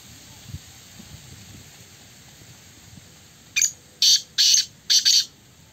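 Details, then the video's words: Black francolin at a calling match: after three quiet seconds, four loud harsh rasping bursts follow in quick succession, the second and third longest, over faint low background noise. "Kala Teetar Ka Muqabla Black Francolin Match Kala Teetar Ki awaz"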